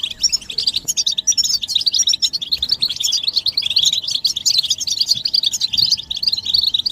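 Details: Group chirping of European goldfinches, played to stimulate males into singing: a dense, continuous stream of high twittering notes and fast buzzy trills overlapping throughout, with short dips in loudness.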